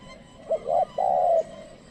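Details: Decoy spotted dove calling to wild birds. A single phrase: a brief low coo, a slightly higher coo, then a long level cooing note.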